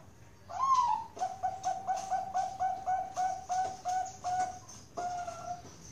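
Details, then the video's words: Bangkok-strain zebra dove bred in captivity at Kroya, Cilacap, Central Java, starting with an upswept note, then rattling off a long even string of short coos that lengthen toward the end. "PERKUTUT BANGKOK SUPER MERDU"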